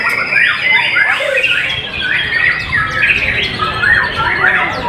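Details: White-rumped shama singing: a dense, continuous stream of varied clear whistles, slurred up-and-down notes and quick chattering phrases, loud and unbroken throughout.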